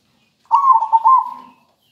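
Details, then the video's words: Single cooing phrase from a local zebra dove, a melodious rhythmic bird meant to prompt quiet doves to sing; one second of warbling, slightly wavering notes at a steady mid pitch, then silence and a brief human voice. "Perkutut lokal gacor merdu"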